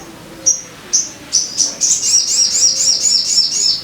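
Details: Sogon song played as a lure to get caged birds singing: high, thin chirps spaced about half a second apart, quickening into a fast, rolling run of sharp, slightly falling notes, with a faint low hum beneath.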